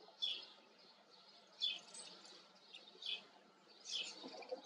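A white wagtail gives four sharp, high chirping calls, roughly one every second or so, over a faint background hiss.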